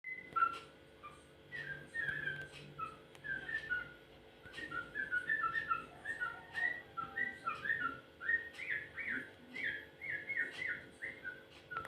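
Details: Yellow-vented bulbul making unusual calls: a continuous run of short, bubbly whistled notes, rising and falling slurs delivered in quick, chattering bursts of varying rhythm, with faint background hum and a few clicks.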